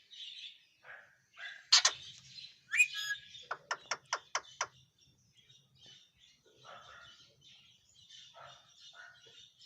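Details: Ringneck parrot uttering harsh screeches, then a rapid run of five short, evenly spaced shrieking notes, followed by softer chattering and faint twitters of other birds.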